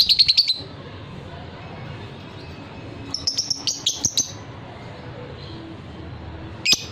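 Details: Fighter lovebird with long ngekek song: a short fast trill opening, silence, then a slower run of about eight evenly spaced high chirps and a final sharp note.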